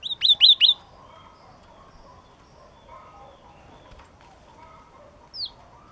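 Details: Bright, piercing whistles from a yellow-cheeked tit open with three rapid downslurred notes, followed by several seconds of quiet murmur and one more high slurred note near the end.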